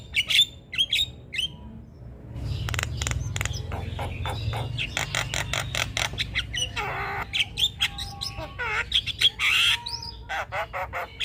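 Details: Javan myna singing loudly at any hour, recorded to tutor other birds, which join in. Sharp chirps open, then a long rattle of harsh clicks and squawks, interspersed with whistled tones and mewing notes.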